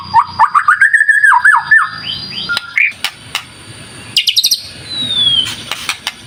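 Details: White-rumped shama singing, meant to prompt other shamas into song: a fast run of rising whistled notes, then sparse clicks and a long descending high whistle, with a steady high tone in the background.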